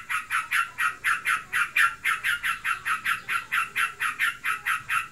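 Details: Pet yellow-vented bulbul in breeding condition, giving a rapid ngebren outburst: buzzy, chattering notes repeated about twice a second in an even, unbroken run.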